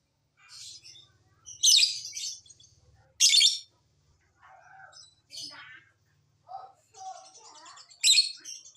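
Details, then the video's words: Lure recording of a lovebird to make others answer: irregular shrill rasping bursts, some loud and some softer, mixed with lower squeaky notes, scattered across several seconds. "Pancingan Lovebird agar BUNYI, Lakbet malas pun akan NYAUT"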